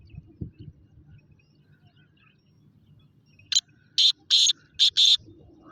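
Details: Black francolin, or kala teetar, calling: after a quiet stretch of low rumble, a harsh, rasping series of five short and longer broadband notes bursts out over about two seconds.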